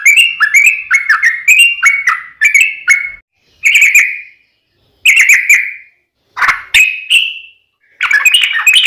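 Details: Sooty-headed bulbul singing a combative long 'ropel' song meant to provoke a reply: short bursts of liquid, jumping whistled notes separated by brief pauses, some phrases ending in a drawn-out slur.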